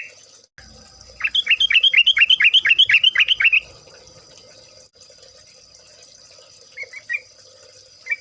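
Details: Yellow-vented Bulbul lure recording: a fast burst of about a dozen bright, downslurred chirps over two seconds, then a long quiet gap and a few softer scattered notes near the end, over a thin steady background hiss.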